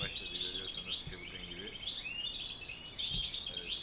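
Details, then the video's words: European goldfinches, a male and female paired together, singing a quick, tinkling twitter of high, buzzy trills and liquid notes, with a faint low murmur underneath. "Saka kuşu eşe atma"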